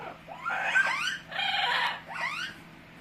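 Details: Pet Amazon parrot utters wavering, sliding whine-like notes that rise and fall, then a coarse rasp and another swooping whine, all in quick succession.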